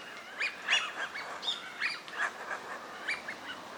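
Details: A small flock of Eurasian wigeon (Mareca penelope), wintering ducks at a park pond in Junsai-ike Green Area, Chiba, Japan, April 2025, calling: quick, high whistled notes from several birds overlap several times a second over faint background noise.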